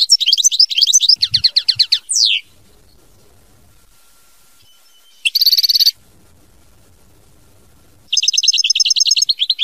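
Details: Song of a European goldfinch in separated bursts: rattling twittered phrases, a dense buzzy trill, quiet gaps, then another fast run of tinkling notes.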